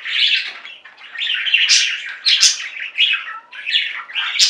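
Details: Pet budgerigars singing in a flock: harsh, squawky warbling mixed with bright chirps, continuous and uneven, with sharper squeaks rising above the chatter.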